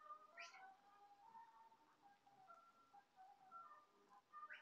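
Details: Lovebirds fighting over a swing trade harsh, nasal squawks and drawn-out whining notes, with a sharp rising shriek at start and end, over a faint background hum.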